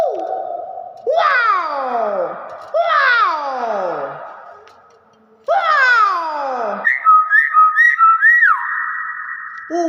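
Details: Common hill myna imitating speech, saying 'wakwaw': three loud, harsh, falling 'wow'-like calls spaced a few seconds apart, followed by bright whistled notes and a quick run of short clipped sounds indoors.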